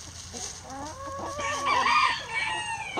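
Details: Rooster crowing in a coop while hens eat eggs: a drawn-out harmonic crow that swells and rises to a loud peak midway, then trails off. Softer clucks and faint background noise run beneath it.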